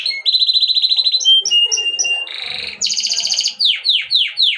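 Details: Canary song in distinct sections: a rapid rolling trill, clear whistled notes, a rattling buzzy tour, a high fast trill, and finally loud descending slurred notes repeated about once a second.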